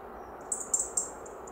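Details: A European robin at Črna pot, Ljubljansko barje, on 2 Nov 2023, gives thin, very high, short notes, three in quick succession about a quarter-second apart, over a soft background hiss.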